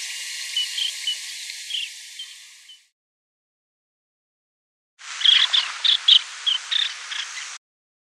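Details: Baird's sandpiper (Calidris bairdii) call in La Rioja, Argentina: short, high, rolling notes, scattered at first, then a quicker burst of about eight, over a steady background hiss.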